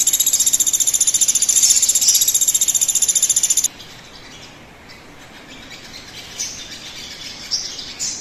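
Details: Crimson sunbird sound used to prompt other birds to start singing: a rapid, very high, evenly pulsed trill repeated for nearly four seconds, then stops, leaving quiet hiss and a few faint chirps.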